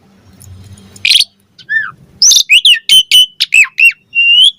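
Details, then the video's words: Asian pied starling singing to coax other starlings to respond: faint low noise at first, then a harsh burst, a downslurred whistle, and a rapid run of loud clipped whistles ending in a long rising note. "Suara Jalak Suren Bakal Langsung NYAUT Buat Masteran & Pancingan Burung Jalak Agar Gacor Full Isian"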